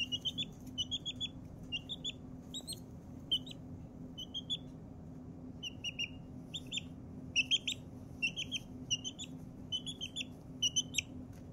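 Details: Blue Ameraucana chick, four weeks old, making happy noises as she settles down to nap: bright, high peeps repeated steadily, often in pairs or short runs, with brief pauses, over a faint low hum.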